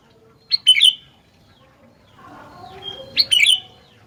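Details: Sooty-headed bulbul giving two short, bright bubbling phrases of quick whistled notes about two and a half seconds apart; faint chirps and soft low murmuring in between.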